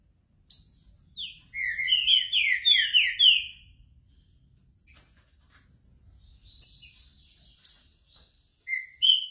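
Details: Green-winged saltator (Saltator similis) warming up its song: bursts of loud, clear whistled notes sliding down in rich phrases, then a pause, a few sharp high notes and another phrase.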